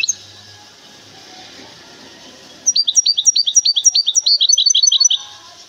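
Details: Caged goldfinch hybrid from Temara, Morocco, singing after a quiet start: a fast run of bright, chirpy, downward-slurred high notes, about three per second, with a thin sustained whistle over the final phrases.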